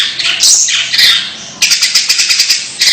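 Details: Long-tailed shrike with odd calls: two harsh squawks, then a fast series of short rasping notes repeated several times.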